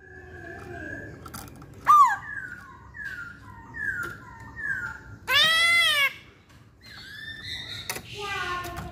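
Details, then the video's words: Masked laughingthrush in a busy song: a sharp falling whistle, a string of soft descending notes, then a loud harsh squawk near the end, with scattered clicks. "Burung Poksay Hongkong Gacor"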